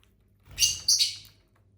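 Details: Pet lovebirds indoors produce a burst of loud, shrill, scratchy chirps, two close harsh notes within under a second, over a low room hum.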